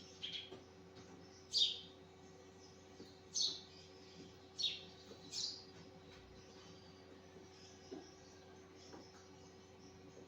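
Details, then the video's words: Morning sparrow chirps come in separate sharp bursts roughly every one to two seconds, with quieter gaps between them over a faint constant hum. "Sparrow chirping"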